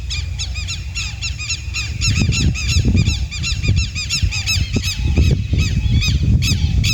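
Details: Four southern lapwings calling together: strident, ringing notes repeated rapidly and overlapping throughout, in dense bursts, over steady low wind rumble outdoors.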